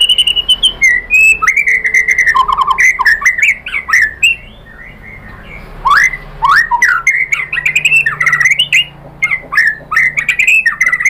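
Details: Murai batu, the white-rumped shama, singing a lure meant to make rival shamas respond and show off their mimicked repertoire. Dense, varied warbling of slurred whistles and squawky notes, with a brief quieter pause midway.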